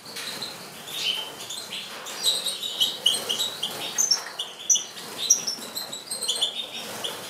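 Bright, tinkling goldfinch twitters and liquid trills, high-pitched and irregular, with several birds chattering at once over a soft background hiss.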